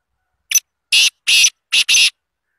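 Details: Black francolin, a Pakistani bird from Azad Kashmir, calling in a crisp phrase: a brief sharp note followed by four strong, grating, noisy syllables, the final pair nearly run together, against a quiet background.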